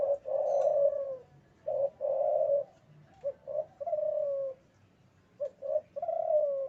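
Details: Male spotted dove in breeding condition cooing clearly against a quiet background. Short clipped notes lead into long, steady, slightly falling coos, and the phrase repeats about three times.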